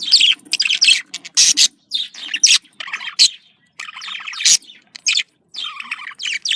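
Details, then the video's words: Budgerigar communication calls, said to be happy contact calls of the Australian parakeet: dense bursts of chirping and scratchy warbles, separated by short pauses, with several loud sharp clicks. "Voz decomunicación.de loro australiano /sonido de llamada de periquito / se sentirá feliz"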